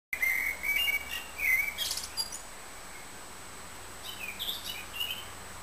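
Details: Eurasian wren at the Réserve de Calviac, singing high, rapid warbling trills in a loud burst of about two seconds, a quiet pause, then a second softer run of bright trilled notes.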